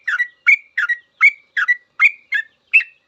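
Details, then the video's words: Sooty-headed bulbul pouring out a long ropel song, a master for cage trucukan to copy. There are eight crisp, bubbling double notes about every 0.4 seconds, each a quick falling slur, over silence. "Suara trucukan full ropel panjang"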